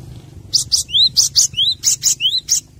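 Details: Cinereous tit song used as a training master for captive birds: quick, raspy, noisy notes alternating with clear upslurred whistles, phrase repeated about three times in rapid succession, faint low rumble beneath.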